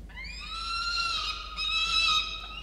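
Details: At a camera-monitored nest in November, peregrine falcon chicks give a clean, rising then level whining cry with strong harmonics, briefly dipping before resuming.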